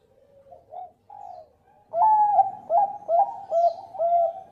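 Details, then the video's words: Zebra dove of the Bangkok type, a loud singer used as a lure so birds sing: a few soft rising coos, then a louder string of quick clipped coo notes in a rolling rhythm. "Perkutut Bangkok Gacor Pancingan Suara Besar Cengkok Merdu"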